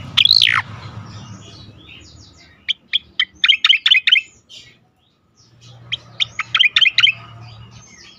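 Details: Melodious striated grassbird song meant as a training lure for other songbirds: a loud swooping opening note, then quick series of clipped high chirps, a short pause, and another run of rapid chirps over low hum.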